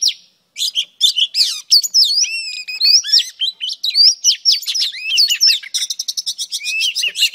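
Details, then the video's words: Singing female oriental magpie-robin, her song meant to excite males, pours out a continuous medley of rising and falling whistles, quick slurred notes and buzzy chips, ending in a rapid pulsing trill. "Than mái hót kích trống P3 Oriental Magpie Robin Female"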